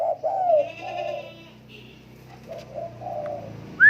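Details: Tame spotted dove uttering a clear low coo phrase at first, then softer drawn-out coos over a steady background hum, ending with a sudden high whistle.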